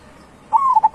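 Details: Zebra dove (Geopelia striata), local bird, song: a soft, mellow coo, one drawn-out note then two quick clipped notes, over a quiet background hiss.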